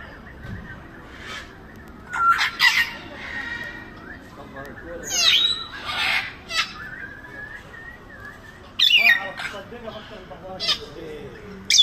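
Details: A grey parrot in Baku Zoo gives harsh squawks and sharp whistled chirps in irregular bursts, some rising steeply, over a low background hum.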